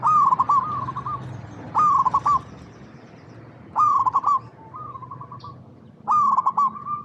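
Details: Local zebra dove singing as a lure for other zebra doves; loud stuttering coo bursts each followed by a softer level trill, repeating about every two seconds over a low steady hum.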